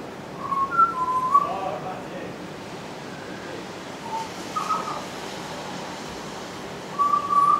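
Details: Pied butcherbirds at Surfers Paradise, Gold Coast, recorded on 3 December 2010, imitating other birds such as kookaburra, rainbow lorikeets and magpies; clear whistled phrases in short bursts with pauses, over steady background noise.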